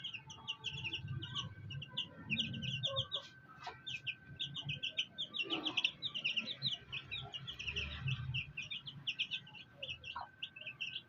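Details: Black hen and her fighter chicks, the chicks keeping up a dense, continuous chorus of high cheeping while low, murmuring clucks from the hen rise at intervals beneath them.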